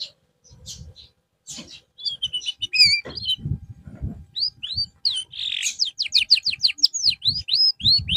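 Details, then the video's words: Canary song used as therapy for a bird after a drop in form: scattered high chirps, then fast trills and repeated sweeping whistled notes in quick succession, with faint low knocks beneath. "TERAPI BURUNG KENARI SETELAH AMBROL"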